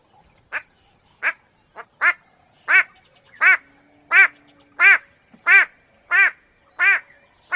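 A white-bellied go-away-bird gives a steady string of harsh, nasal, bleating calls, about one every three-quarters of a second, each rising then falling.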